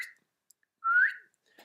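A Common Chiffchaff gives a single clear 'hweet' contact call, a short whistled note sliding upward, with a faint clipped sound at either end.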